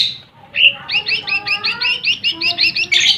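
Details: Lesser green leafbird song used to provoke rival birds: a sharp opening note, then a steady rattling train of about twelve bright chirps, with soft lower whistles from other birds.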